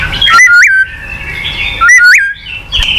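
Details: Two matching short whistled phrases from a White-rumped shama, each a sliding note with a quick upward flick, followed by a sustained high whistle; a recording meant to prompt a silent shama to sing.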